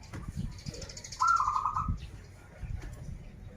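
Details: Banten local zebra dove, a keen singer of krital and warung kebek song styles, gives a clear rippling trill of quick coos opening with a sharper note, amid soft taps and a high chittering in the background.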